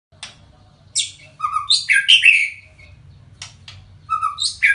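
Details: White-rumped shama singing a varied phrase of rich whistles, sharp upward-and-down notes and fluty slurs, with brief gaps and clicking notes between bursts; low background rumble.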